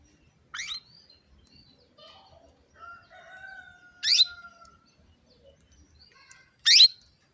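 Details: Female canary calling to stir males into singing: three loud, short, steeply rising chirps spaced a few seconds apart, with a faint steady whistle and soft scattered chirps in between.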